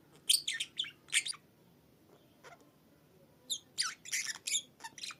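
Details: A caged pet budgerigar perched atop its cage on a Sunday morning gives loud, harsh squeaky chirps and buzzy chatter in two bursts, separated by a quiet gap of about two seconds with only faint soft notes.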